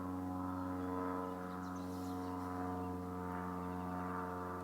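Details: A deep, sustained metallic hum like a gong or singing bowl, rich in steady overtones, with no animal voice heard.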